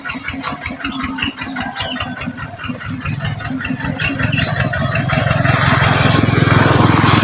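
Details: A loud idling engine rumbles and knocks throughout, growing louder toward the end, with no animal voice standing out.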